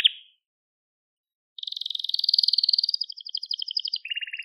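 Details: Song of a crested Gloster canary: one short note, a pause, then a long, rapid, buzzy trill of evenly repeated pulses that drops to a lower rolling tour near the end.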